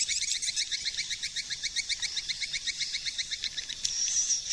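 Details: Swiftlet lure call in SP4 version from 2020: rapid regular series of bright high chirps, about four a second, followed by a thin whistled squeal.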